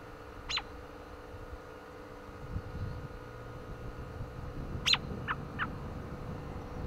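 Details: American robin chirping on a windy day: two sharp, high, downward-sliding chirps about four seconds apart, the second followed by two shorter, lower notes, with low wind rumble beneath.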